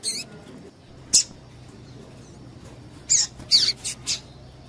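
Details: Female double-collared seedeater calling to excite males, used to warm up singing males for tournaments; a sharp high chirp, a lone squeak, then a tight cluster of four short high notes near the end over faint hiss.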